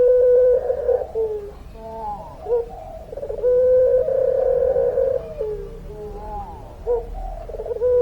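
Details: Active puter pelung dove giving a rich, slightly rough coo, held for about two seconds between shorter wavering phrases and brief pauses.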